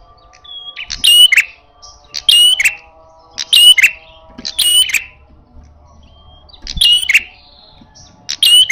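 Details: Loud, aggressive red-headed prinia in fighting mode, giving harsh buzzy bursts topped with sharp high chips, each burst about a second apart in short runs, a brief pause midway, and faint low hum underneath.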